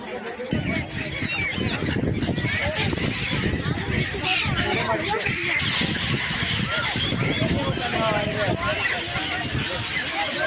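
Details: A huge flock of countless white egrets at the Triveni Sangam near Somnath, Gujarat, in peak season, keeps up a loud, continuous din of harsh, overlapping squawks and croaks, with a person's voice possibly mixed in.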